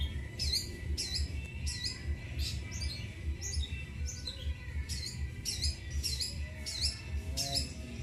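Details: Pet long-tailed shrike answering coughing sounds: bursts of harsh, scratchy high calls with short downward-bending notes, given in quick groups about once a second, over a steady low hum.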